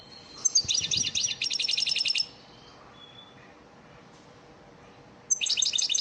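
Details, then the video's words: Lesson song from an elmacık European goldfinch, used to train caged birds: a long dense run of rapid buzzy trilling notes, a short thin whistle, then another trilled burst. "elmacık saka ders ötüm dersi"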